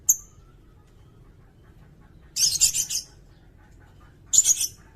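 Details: Sirindet recording for training caged songbirds, with a single high chip, a long silence, then a burst of scratchy high chatter and a brief final phrase of sharp notes.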